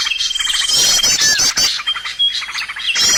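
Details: Lure recording of birds used for trapping, with a thick layer of high twittering and rapid trills over a sustained thin whistle, plus a few short downward-slurred notes.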